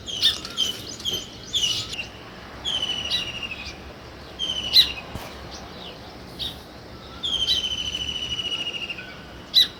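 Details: Scattered sparrow chirps mixed with a few longer, slightly falling high notes, in irregular bursts separated by quieter stretches.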